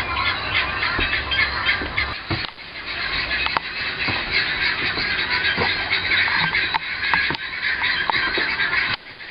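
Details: Guineafowl calling from across the road, recorded from a front porch and dining room in February or March 2010: a dense, continuous chorus of harsh, rapid chattering cries from several birds, with scattered sharp knocks.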